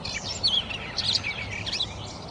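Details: High-pitched bird chirps and twitters tumble out almost continuously, with sharp clicky notes and short warbled phrases over a low hum.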